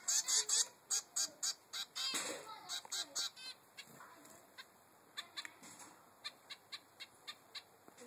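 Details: Three-week-old zebra finch chick asking its mother for food: loud buzzy begging notes in the first seconds, a brief flutter-like noise, then fainter, sparser high chips trailing off.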